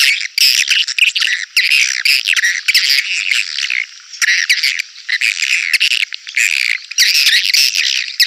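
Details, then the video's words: Swiftlet call for drawing swiftlets to a bird house: loud raspy twittering bursts in long runs broken by brief pauses. "Suara panggil burung walet jernih bisa bersaing di rbw padat"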